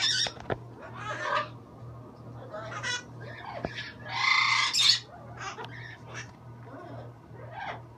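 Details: Green-winged macaw: one loud, harsh, broad squawk near the middle, with scattered quieter rasping calls and clicks around it over a constant low electrical hum.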